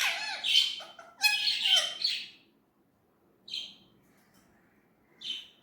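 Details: Indian ringneck parrot, described as talking in its natural voice: two loud, harsh, chattering bursts in the first two seconds, then a pause and two short, high squawks spaced far apart.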